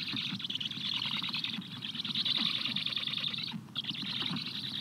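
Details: At a Black stork nest where a parent feeds its chicks, 17:15 on 14 July 2022, a dense, rasping, wheezy chatter of quick pulses fills the clip, briefly breaking off near the end before resuming.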